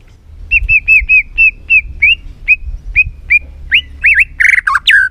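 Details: White-rumped shama singing many varied notes while flicking its tail: a steady string of about a dozen short bright whistled chirps, quickening into harsh, buzzy, tumbling notes at the close.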